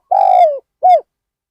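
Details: Spotted dove serving as a decoy to lure wild birds at Ban Nong Hin: a single long, slightly trilled coo sliding downward, followed by a short rounded coo.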